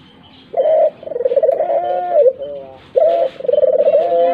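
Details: Lure recording of doves to make other birds call: two loud coo phrases about two and a half seconds apart, each opening with a sharp note, then a long, throbbing, pulsed low coo ending in a softer falling tail.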